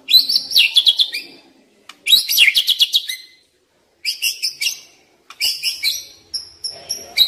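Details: Song of the white-rumped shama, played to stimulate young forest birds: dense high chattering trills in repeated bursts, separated by short silences, ending with thin high whistled notes.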